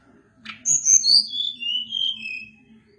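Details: Sunda blue robin (tledekan gunung) in lively, long-running song: a series of clear whistled notes sliding steadily downward from very high to mid pitch over two seconds, with a faint low hum behind.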